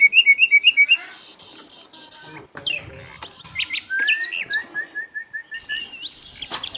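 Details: Asian brown flycatcher in a lively training recording for songbirds, opening with a quick run of repeated rising chirps, then high thin whistles, sharp upslurred notes and a fast even string of short chirps near the end.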